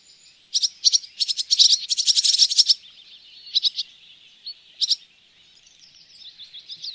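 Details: Barn swallow at the Oostvaardersplassen bird hide, September 2016, Panasonic Lumix GH4 recording: a run of crisp, clicking chips repeated rapidly, a pause, two short pairs of sharp notes, then soft, thin twittering.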